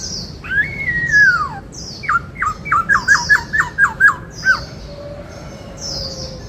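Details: White-cheeked laughingthrush kept as a songbird singing 'bắt cô trói cột': one long arching whistle, then about nine short falling whistled notes in quick rhythm, over a low steady hum.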